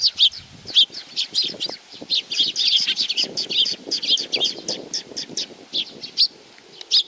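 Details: Sparrows arriving to be fed at Tenmangu shrine, Nakanoshima, on 7 June 2020, giving dense bursts of sharp high chirps and tweets from several birds, some wing flutters among them.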